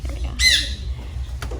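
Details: Young male Eclectus parrot, newly acquired and kept as a pet, squawking while being asked to step up during handling: one short, harsh, grating squawk, then a faint click, over low indoor hum.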